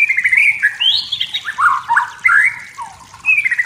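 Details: A wild white-rumped shama sings in forest to stir up rivals, a continuous rich warble of slurred whistles rising and dipping between low and high notes, with brief breaks.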